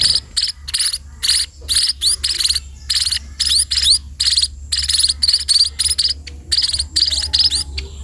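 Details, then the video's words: Sparrows beg during feeding with a busy stream of sharp, sweeping chirps, closely spaced and uneven, with a low hum throughout. "burung pipit diberi makan"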